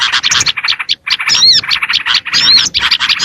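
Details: Brief stretch of small-bird lure sound: rapid, stuttering high chirps with two sharp rising whistles, broken by a short gap.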